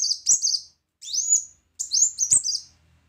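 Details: Brown-throated sunbird in loud 'tembakan' song: three phrases of bright high whistles, each with a strong upward sweep followed by flat piercing notes, about a second apart. A faint low hum is also present.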